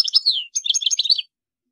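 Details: Short goldfinch phrase: a few liquid twittering notes sliding downward, a brief pause, then a quick series of bright, tinkling chirps.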